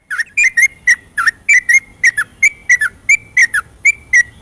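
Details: Yellow-vented bulbul singing at night in a continuous ropelan-style song, used as a lure to stimulate reluctant bulbuls: short bubbly whistled notes with sliding turns, delivered in quick pairs and singles about every third of a second, with a faint low background hum.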